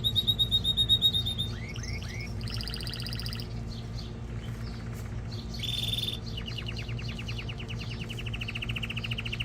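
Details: Male canary singing, meant to stimulate mating and to train young birds: rapid rolling trills, a few rising whistled notes, and long buzzy tours, over steady low hum.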